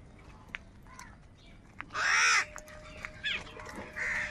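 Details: Crows calling while fighting for food: one loud, harsh, broad caw near the middle, followed by shorter rasping calls and scattered clicks against a low background hum.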